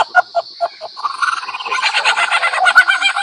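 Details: Male lyrebird mimicking sounds to attract females: a few clucking notes, then a fast, even run of mechanical clicks like a camera shutter's motor drive, over a constant high whine.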